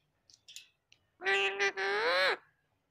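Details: A talking parrot speaking Marathi gives a single drawn-out, nasal, voice-like utterance of about a second, broken briefly in the middle and rising slightly at the end, after a few soft clicks.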